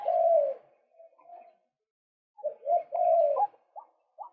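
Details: A male white-breasted waterhen for luring birds: a loud drawn croak and faint trailing notes, a pause, then stacked harsh calls and two short sharp flicks.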